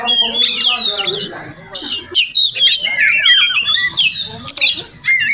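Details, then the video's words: Oriental magpie-robin (Murai Kampung), a wild village bird calling near a house where it may nest; bursts of bright whistles mixed with harsh, scratchy slurred notes, broken by short pauses, recorded on simple equipment. "Crazy Sounds of Village Magpie Birds"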